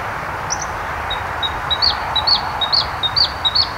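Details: White-spotted bluethroat singing: a strand of thin, high notes, short ticks alternating with slurred, sharper chirps, repeated roughly twice per second over loud, steady rushing background noise.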